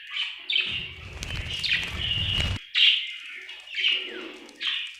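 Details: Happy budgerigar chirping in bright warbled notes, partly masked for about two seconds by a loud broadband rustling or flapping noise, then clear rising chirps return.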